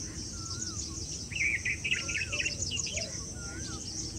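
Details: Wire-tailed swallow at Keoladeo National Park (Bharatpur), India, giving quick, chattering twitters, with short rising and falling chirps clustered mid-clip; a steady insect hiss and other faint bird whistles run behind.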